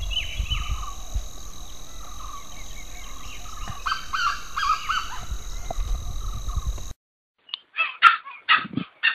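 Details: Grey junglefowl, faint broken calls under a steady whine and hiss, then a sudden cut to a cleaner recording of loud, staccato, harsh bursts in quick succession.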